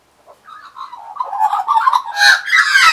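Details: Wild Australian magpies, regular visitors in 2015 perching on a person's arm and knee, one giving a rich, warbling run of mid-pitched notes that grows louder and harsher toward the end, with a few clicks.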